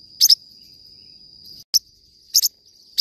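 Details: Forpus parrotlet singing: a few sharp, high double chirps, each pair clipped and bright, spaced irregularly over a few seconds above a thin, steady high-pitched whine.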